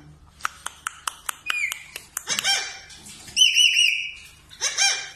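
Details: Parrot mimicking sounds, a series of sharp clicks, then rapid chattering, a steady wavering whistle and a final harsh burst, with a voice repeating "me too".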